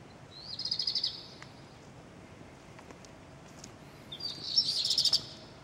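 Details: A redstart, possibly a Black Redstart, sings in Wattenheim, Pfalz, Germany: two brief high phrases a few seconds apart, each a quick rising note running into a fast, crackling trill, over faint background hiss.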